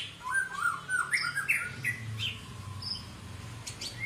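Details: Medan long-tailed White-rumped shama producing a run of short, quick whistled notes, several rising in pitch, followed by scattered higher chips over low background hum.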